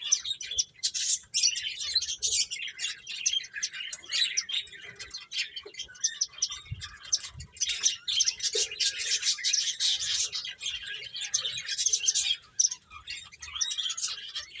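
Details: Busy finches at play keep up a continuous, overlapping stream of high chirps and twitters, steady in loudness throughout with a brief dip near the end.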